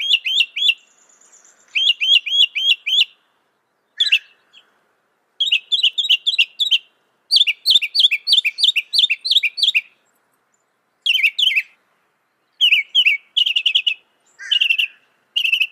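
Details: Long varied song of a Northern mockingbird, a famous mimic of other birds, insects and amphibians: loud, fast phrases of repeated notes, each motif repeated several times before changing to a new one.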